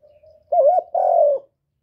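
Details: Close spotted dove cooing: a faint soft lead-in, then a loud wavering hoot and a long, steady, low coo that fades downward. The background is quiet.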